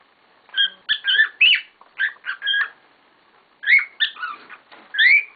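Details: Cockatiels kept as pets, a group making a racket: quick runs of whistled harmonic chirps, several rising sharply, in two bursts separated by a short lull.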